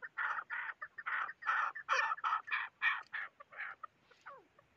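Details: Chukar partridge giving harsh, grating, clucking notes, about a dozen in quick succession over four seconds, followed by a short downward-sliding note; faint background hiss.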